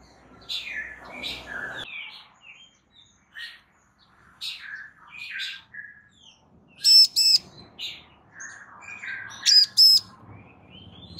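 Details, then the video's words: A calling female Bar-winged prinia, trying to get a male to respond, gives loud doubled buzzy notes twice late in the stretch; softer mixed twitters, chirps and a rustling noise burst come before. "Ciblek BETINA GACOR Memanggil Ciblek JANTAN Agar NYAUT GACOR"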